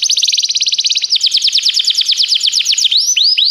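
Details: Canary song for training canaries: a fast even trill of high notes, then a slightly slower run of sweeping notes, ending with a few rising whistled slurs.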